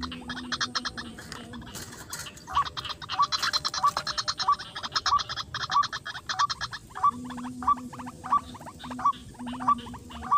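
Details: In a rice paddy, a white-breasted waterhen, a male, responds to a lure. After a noisy start, short hooked notes come in a steady series roughly every 0.6 seconds, backed by fast broadband pulsing and an intermittent low drone.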